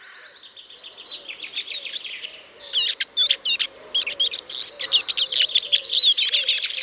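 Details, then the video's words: Eurasian siskin (Spinus spinus) song: a fast, high twittering of varied chirps, trills and slurred whistles, starting soft and growing louder and denser, over a faint low hum. "O canto do Lugre (Spinus spinus)"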